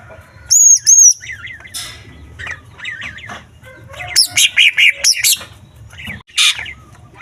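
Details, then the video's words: Green leafbird song from Kalimantan, a male used to stir other leafbirds: opening with high whistled notes, then wavering warbled phrases and a rapid series of loud sharp notes, faint low hum throughout. "Cucak Ijo Full Isian Burung Kecil Gacor Menaikan Emosi Cucak Ijo Lain"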